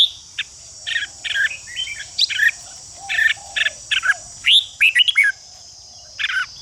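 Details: Red-whiskered bulbul chatter used to spur other bulbuls into fighting song: spaced rasping bursts, then a quick cluster of sharp rising notes near the end, backed by a steady shrill hiss.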